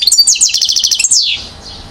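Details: European goldfinch, one year old, from Mouzaia, Algeria, 2012: a brief burst of rapid, evenly repeated high notes, then a single note sliding downward and fading out.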